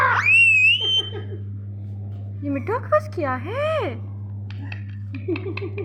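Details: A pet rose-ringed parakeet gives speech-like mimicry that includes meowing: a shrill rising squeal, then choppy chattered syllables and a bending, wavering word, over a steady electrical hum.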